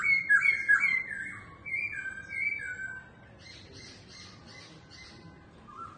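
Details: Laughingthrush singing as it dances opens with jumbled squeaky whistles and drawn-out notes. A series of short, harsh, buzzy bursts follows in an even rhythm.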